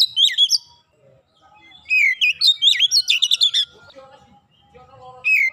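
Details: Oriental magpie-robin, singing in the quick 'nembak rapat' style: a short whistled opening, a pause, then a long, lively phrase of looping whistles and crisp staccato chirps, ending with a brief fresh start.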